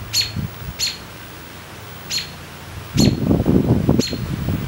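A robin gives five sharp, high chirps spaced about a second apart, over a low rumbling murmur that grows louder in the second half.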